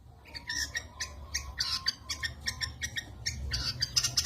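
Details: Long-tailed shrike singing at moderate distance, short sharp chirped notes repeated roughly every third of a second in an even run, with low background rumble.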